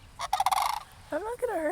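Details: A crane standing near a church as a person walks closer utters a throaty, pulsed rattle of about half a second. A short soft, wavering tone follows.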